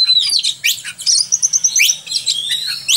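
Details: Oriental magpie-robin song used as a master track for training other birds: varied loud whistles and sharp upslurred notes mixed with fast chattering phrases, with a faint low hum beneath.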